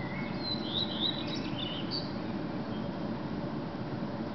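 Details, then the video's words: Male common redstart singing in the early morning, about 4:15 am, in Berlin on 10 May 2010: a short phrase of thin, high twittering notes over steady rushing background noise; another male answers farther off and blackbirds sing in the background. "Common Redstart singing/ Gesang des Gartenrotschwanzes"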